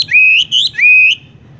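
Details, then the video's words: Horsfield's bush lark song in the rolling 'tung roll gantung langsung ngerol' style: a short run of three clear, high whistled notes, each level then lifting at the end, with a brief break between them. "wambie tung roll gantung langsung ngerol"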